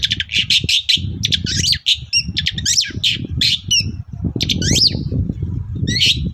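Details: Morning song of a Long-tailed shrike, played to lure other shrikes into answering: rapid chattering bursts of grating notes mixed with sharp squeaks and short whistles, nearly continuous, over low background rumble.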